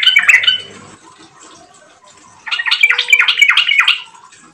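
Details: Yellow-vented bulbul singing energetically, a lure recording meant to set other bulbuls singing: a short chattery burst, a quiet pause, then a run of about six bubbly, downslurred notes in quick succession.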